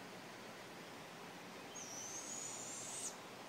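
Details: Possibly a barn owl calling at night gives one long, thin, very high screech lasting over a second and rising slightly at the end, over a steady background hiss.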